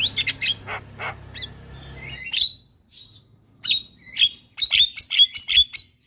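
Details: Javan myna in full morning song, meant for training and luring birds: rough scratchy notes open the passage, then a pause, then a quickening series of sharp, ringing chips.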